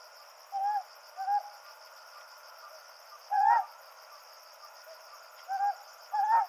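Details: Ryukyu scops owl pair at night in the Yaeyama Islands: the male gives hoarse "koho" hoots and the female answers with "nya" calls, about one every few seconds, over a steady high insect trill.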